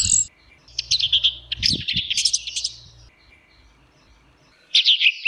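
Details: Orange-headed thrush singing teler style: dense, high, twittering and buzzy phrases in rapid succession, with a low hum and some background rumble underneath, then a final bright burst after a pause.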